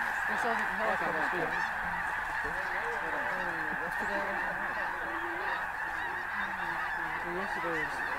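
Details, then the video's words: Flock of snow geese in a classic blastoff before dawn on a cold December morning at Bosque del Apache National Wildlife Refuge, a roaring honking mass with many nearer individual calls repeated throughout. "Bosque Blastoff"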